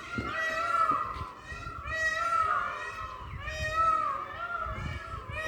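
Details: Peacock calling during a dance display: loud, harmonic, wailing cries with a falling tail, three of them, each about a second long and spaced roughly two seconds apart, over low background rumble.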